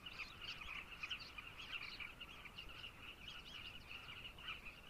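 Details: Zambian carmine bee-eaters in a constant babble of short, buzzy, trilling calls from numerous birds overlapping without pause.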